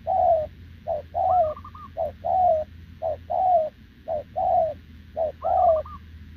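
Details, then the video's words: Wild-caught short-legged spotted dove cooing nonstop alongside a decoy bird: rapid pairs of short and long falling coos repeated about once a second, with occasional higher, wavering notes and a low background hum. "Bổi đồng chân lùn | Bo mình chắc đẹp | gù liền với mồi Đồng TT"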